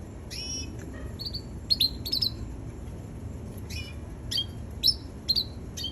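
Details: Red canary chick giving bursts of high, thin chirps and brief whistled notes, often in close pairs, roughly two per second, with quiet gaps between bursts and a low hum underneath.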